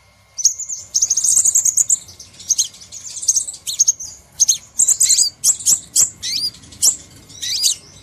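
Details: Crimson sunbird lure call: rapid, very high, thin chirps and short sharp twittering bursts, repeated almost continuously with brief pauses.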